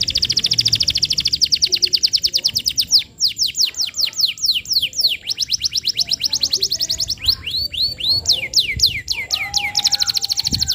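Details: Vigorous canary song for teaching young canaries: long, very fast rolling trills, then tours of sweeping downslurred whistles repeated in quick series, switching between phrase types, with a brief low whistle near the end.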